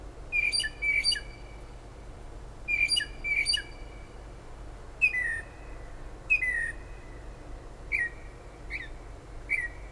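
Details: Bird heard at night and early morning outside a kitchen window in Toms River, New Jersey, near the shore: paired sharp chirps repeated twice, then single slurred, falling notes spaced about a second apart, with constant low hiss.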